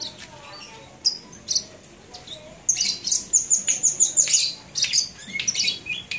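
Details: Labet from Banyuwangi, Indonesia, recorded in January 2018: scattered high chirps, then a fast, bright trill of repeated shrill notes and a few more sharp calls.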